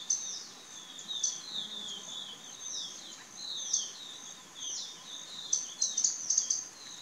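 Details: Indian scimitar babbler calling: bursts of high, clipped notes and short rising-falling whistles repeated in uneven clusters over several seconds, with faint background hiss.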